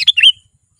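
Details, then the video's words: Gacor-style sooty-headed bulbul song for luring wild birds: a quick pair of bright chirps followed by a smooth, slurred whistle, over within a third of a second, with nothing else heard. "SUARA BURUNG KUTILANG GACOR ASLI 100% AMPUH || Untuk Memanggil Burung Kutilang Liar Auto Mendekat"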